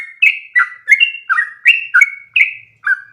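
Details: Sooty-headed bulbul, long continuous training song: short, sweet, slurred whistles, several stretched into level tones, following one another at about three per second.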